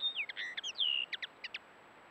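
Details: A male common linnet in breeding plumage, caught on a camera trap, sings a quick, varied twittering run of high slurred whistles and short chirps, ending in a few clipped notes.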